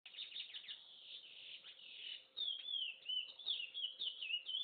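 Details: A chestnut-bellied seed finch (curió) sings the regional song of Corumbaíba, Goiás, Brazil: a steady run of rich, slurred whistles and warbles, starting busy and then breaking into clearer swooping phrases, with faint background hiss.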